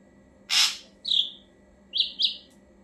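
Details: Ashy drongo voice used as a bird lure. A single rasping burst is followed by a sliding whistle and then a quick pair of high, clear whistled notes.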